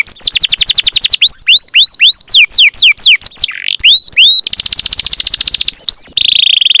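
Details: Canary song meant to get other canaries singing fast: a fast trill, a run of looping whistled slurs, a second rapid trill and a closing buzzy, sustained phrase.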